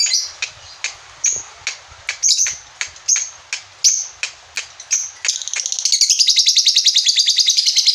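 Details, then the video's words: Caged lovebird singing ngekek: sharp high chirps repeated about every half second, then a fast unbroken high chattering trill over the final three seconds. "LOVE BIRD NGEKEK"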